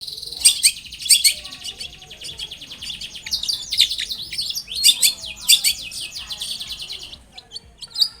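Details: Long-tailed shrike singing actively, played as a lure to make other shrikes answer: dense bursts of sharp, high chirps and rapid scratchy trills, broken by short pauses, with a final isolated chirp.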